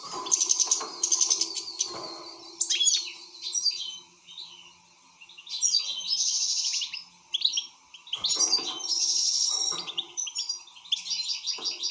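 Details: European goldfinch singing excitedly: bursts of rapid twittering, buzzy trills and tinkling notes, phrases separated by brief pauses across the recording.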